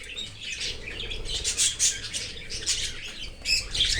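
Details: Cockatiel chick in an open aviary, fed by a parent from outside the nest: harsh, raspy bursts in quick succession with short louder squawks near the middle and end. A faint low hum sits underneath.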